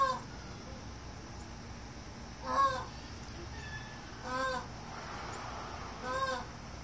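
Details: Indian peafowl (peacock) giving three short, loud, nasal calls, each an arched harmonic honk, spaced roughly every two seconds over a steady background hiss.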